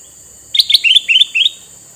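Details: Male sooty-headed bulbul with red eyes, kept as a lure bird for wild bulbuls: a quick run of bright, liquid chirped notes in short rising pairs and triplets. A steady high electronic-sounding whine runs underneath.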